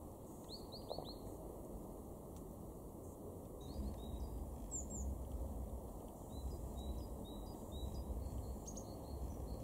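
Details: Great tit in a garden in Weener, East Frisia, far northwest Germany, February 2023: a quick run of thin, high, downslurred chirps early on, then scattered short tweets over steady low rumbling background noise.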